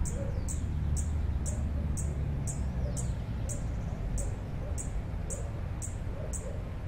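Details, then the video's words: Sparkling violetear (Colibri coruscans) on the Universidad de Nariño campus, San Juan de Pasto, singing from a perch it returns to after fluttering flights: a very high, sharp, metallic chip about twice a second, over low wind or distant traffic rumble. "COLIBRÍ CHILLÓN,SPARKLING VIOLETEAR (Colibri coruscans)"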